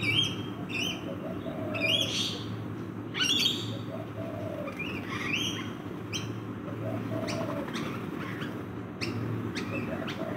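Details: Feeding rainbow lorikeets in a backyard utter repeated shrill, metallic screeches and squawks, several in clusters across the clip, with a low mechanical hum underneath.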